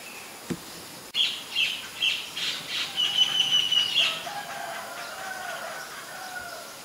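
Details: Common myna recorded in Ubon Ratchathani, Thailand, on May 8, 2022, with a Nikon P1000: a quick run of harsh, chattering notes for about three seconds, then softer lower drawn-out tones fading out.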